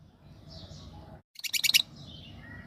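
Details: A brief burst of fast, high chattering from a yellow Fischer's lovebird pair breaks through a quiet, hissy background.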